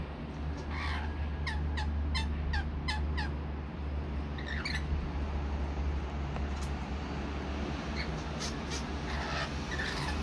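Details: Rainbow lorikeets at a nectar feed give a rapid run of short sharp chirps repeated about twice a second, then scattered screechy squawks, all over a steady low hum.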